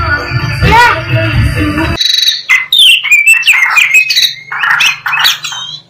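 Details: Black-breasted Oriental magpie-robin, a local form native to East Java, singing a varied run of bright whistled and chirping notes. Music plays for the first two seconds before the song begins.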